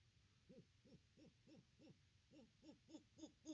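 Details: Fainter owl hooting at a great horned owl nest tree on a 25 December 2021 nest cam: about ten short, evenly spaced low hoots in a quick steady run, growing slightly louder, with faint background hiss.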